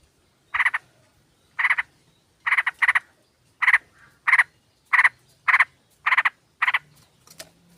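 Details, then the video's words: A flock of sooty-headed bulbuls used as a lure, with a female calling males: a steady series of short, harsh, buzzy chatter bursts, some in pairs, about every 0.6 seconds, on a clean, quiet background. "Pancingan trucuk ombyokan"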